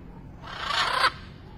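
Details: One loud, grating screech about two thirds of a second long from a wild blue-and-yellow macaw at sunset under cloudy skies, with steady low background noise.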